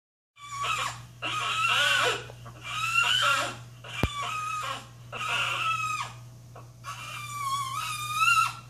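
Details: An overexcited pet macaw gives six harsh, raucous screeches, each about a second long, in quick succession while the TV is on, over a steady low electrical hum.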